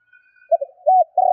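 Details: Spotted dove in the kích bổi calling style: short low coos, then a sustained note cut off at the end, with a faint thin tone at the start.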